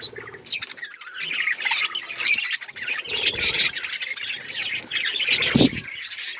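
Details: A flock of budgies chattering steadily with shrill squawks and twittering notes, plus a brief low thump near the end.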